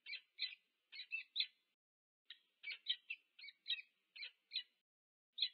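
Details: Peregrine falcons meeting at a nest, UC Berkeley, USA, nest cam, 2 November 2022; raspy, chattering call notes in quick clusters of two to four, broken by short silences.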